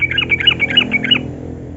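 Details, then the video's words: Yellow-vented bulbul in 'gacor' form, a song played to coax reluctant bulbuls into singing: under two seconds of rapid, liquid, alternating high and lower notes in a steady bubbling run. "Trucukan Gacor Pancingan Burung Bahan Jantan dan Betina Agar Garuda dan Bunyi"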